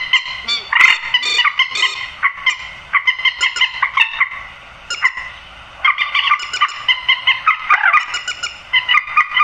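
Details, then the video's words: Grey-headed swamphen calls used for night netting: loud nasal squawking in stuttering bouts, broken by two brief pauses, with several harsher rising notes mixed in. "tiếng trích ré"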